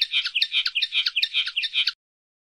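A common linnet sings a fast, high twittering phrase of chattering notes, about five a second, lasting two seconds before falling silent.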